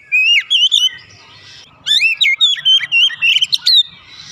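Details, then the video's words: Oriental magpie-robin kept in a home cage, its song played to get a silent bird singing: two vigorous phrases of high, varied whistles, quick slurs and chattering trills, with a brief hush between them. "terapi cepat mengatasi Kacer rumahan susah bunyi lekas gacor"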